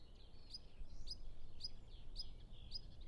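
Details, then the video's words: Loud, close European pied flycatcher song during nesting and feeding of two young: five high, ringing two-part notes spaced about half a second apart over quiet low rumble, recorded with Zoom F6 and Sennheiser MKH 8040. "Pied Flycatcher Sound Library"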